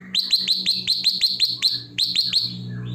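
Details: A sooty-headed bulbul (Pycnonotus aurigaster) sings a fast run of about nine sharp, upslurred chirps, several per second, a short pause, then four more, over a faint low hum.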